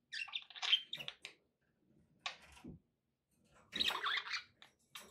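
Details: Pet budgerigars giving bursts of squeaky, scratchy chirps separated by quiet pauses, with a faint low knock in the middle.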